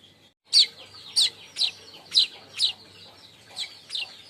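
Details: High, scratchy chirps from a baya weaver, roughly one per second, in a chattering call used by keepers to lure and tutor other birds. Notes fade slightly toward the end in quiet surroundings.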